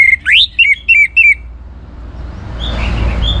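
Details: Orange-headed thrush song, used in Singaraja, Bali, to stimulate other cage birds to sing: a clear whistle, a sharp rising slur, then three quick paired whistled notes, fading into hiss and faint distant chirps.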